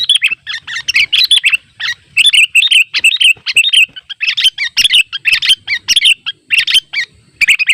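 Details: A wild sooty-headed bulbul calls at rivals by a trap, giving loud, rapid, liquid chirps in tight clusters. The lively notes bounce up and down with brief gaps, continuing almost without pause throughout.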